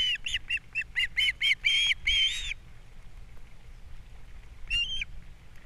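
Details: Osprey at a nest on Captiva on 3 April 2022, filmed as the male brings a fish and the female feeds the chicks. About ten loud, piercing whistled chirps in steady succession, then quiet and one final call.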